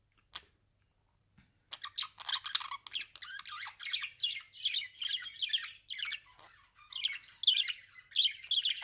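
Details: A budgerigar vocalizing at the camera, apparently happy and practicing, warbles in a fast, chattering stream of high, scratchy chirps and squeaks.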